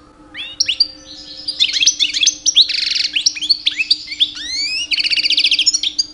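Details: Mating-season song of a two-year-old male European goldfinch courting females: continuous fast twittering with rising slurs, tinkling notes and two harsh buzzy trills, delivered without a break; soft hum underneath.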